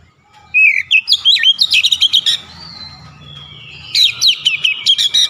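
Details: Oriental magpie-robin singing in the "nembak" (shooting) style while unloading its repertoire: rising whistled slurs, then rapid staccato bursts of sharp, high chips, a drawn-out whistle, and another volley of hard notes.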